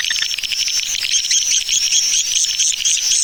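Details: Swiftlet attraction call in the 'Tarik Permata' style: fast, shrill twittering that pulses slightly, with clear whistled notes repeating roughly twice a second.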